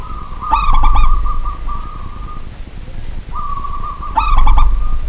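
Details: Kept local zebra dove at night: two bursts of rapid, clipped coos, each stretched into a long, even coo, with a steady low hum beneath.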